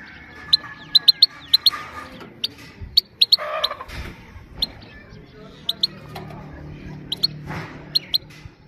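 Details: Unexcited female goldfinch calling 'pit pit' to rouse males and train young birds; crisp ticks in small bursts spaced about a second apart, faint background rustling and a brief broadband noise near the middle.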